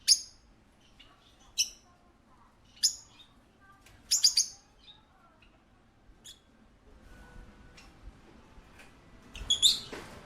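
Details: Parakeet at a pet shop giving short, sharp high chirps, single or in quick clusters, spaced every one to two seconds, with quieter faint chirps between and a low background hum of the shop.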